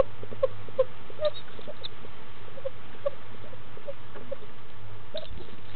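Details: Newly hatched barred owlet in Florida, hatched around 6am and eating its second meal with gusto at 10am on 19 February 2015; short, soft, squeaky peeps at irregular intervals over a steady low hum.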